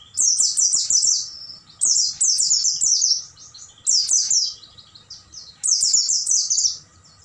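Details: Oriental white-eye singing at night, used as a tutor recording for caged birds: high, rapid twittering bursts of descending notes, each about a second long, recurring every two seconds over a faint low rumble.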